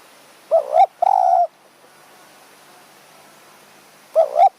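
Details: Spotted dove calling during decoy luring in high mountain forest near Kanchanaburi, Thailand, in the evening: a quick double coo followed by a longer, steady low coo, then a pause and another double coo.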